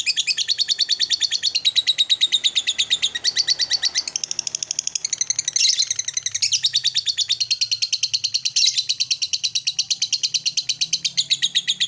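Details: Lovebird singing in the long ngekek style meant to agitate other lovebirds: a fast, high, scratchy chatter of rapid pulses, about three a second, running unbroken with shifting buzzy phrases and no other clear sounds.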